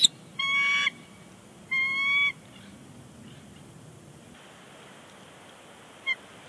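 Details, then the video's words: Two bald eagles calling on their Big Bear Lake nest on January 30, 2020, ahead of leaving; two long, steady whistled notes with rich overtones, each held over half a second, then quiet with one short click. "eagles; chatter on the nest"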